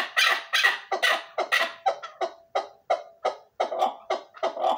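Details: Chukar partridge from Dulan giving loud harsh rasping notes, repeated about three times a second in an even, pulsing series.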